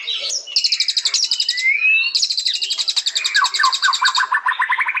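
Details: White-rumped shama singing rapid high trilled bursts, a clear rising whistle in the middle, then a long run of repeated chattering notes ending in a series of lower, quickly rising chirps.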